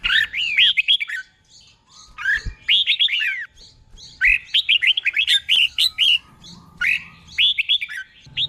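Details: Red-whiskered bulbul kept in a cage as a tutor bird, singing the doubled 'beol' style used to train others. Continuous sequences of bright, slurred, whistled notes are broken by brief gaps, with a few faint clicks.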